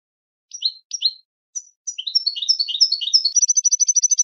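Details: Melodic goldfinch song opening with a few separated high chirps, then a fast run of descending twittered notes that speeds into a rapid, even trill of sharp repeated high notes. No other sounds.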